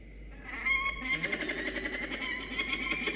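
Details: Peregrine falcon at its nest during a changeover between the pair, making a strange purring sound: a steady, buzzy, harmonic tone that pulses rapidly and evenly for about three seconds.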